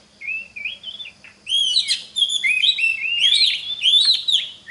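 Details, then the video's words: Oriental magpie-robin singing as a teaching lure for other magpie-robins, opening with soft slurred whistles, then a dense, loud run of sweeping whistled notes and sharp chips. "Pancingan Suara Kacer (Cocok) buat kacer belajar Kicau!!"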